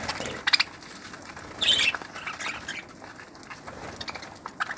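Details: Aviary budgerigars kept for breeding, 2018: soft background chatter broken by an early pair of sharp chirps and a louder rasping squawk burst midway.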